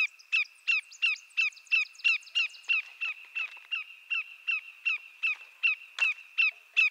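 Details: A rapid, even series of about twenty ringing, downward-slurred whistles from a greater yellowlegs, a large North American shorebird, roughly three per second, with a constant high-pitched background tone throughout.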